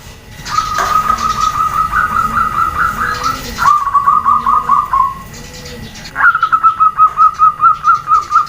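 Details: Rapid bubbling coo trains from a female zebra dove calling so males answer, three long runs in succession, the middle one pitched a little lower, with a soft low hum behind.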